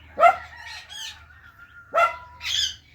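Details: Talking Indian ringneck parakeet giving two loud, sharp harmonic calls about two seconds apart, each trailing into a thin held tone and a softer raspy note.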